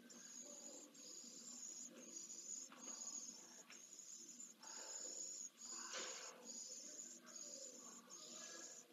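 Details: A single pallid swift chick in Jerez de la Frontera, Spain, on 15 September 2022, being fed and practising wing movements; quieter, sibilant high buzzes recur roughly every second with soft rustling beneath.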